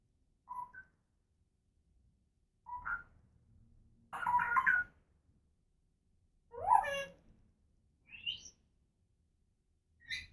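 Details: Pet female African grey parrot indoors making noises: short whistled notes, a harsh broad squawk, a sharp swooping whistle and brief high chirps, each burst separated by quiet gaps of one to two seconds.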